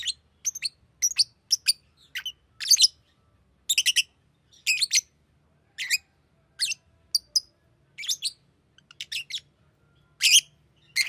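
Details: A green lovebird chirps in short, sharp bursts, often in pairs or clusters, scattered irregularly with brief silent gaps. The background is otherwise quiet.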